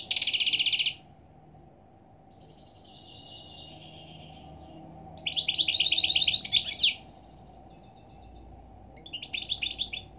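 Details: European goldfinch singing in the morning: a loud buzzy burst, then soft twittering, a long dense stretch of rapid tinkling notes and a final short run of chirps, with quiet pauses between.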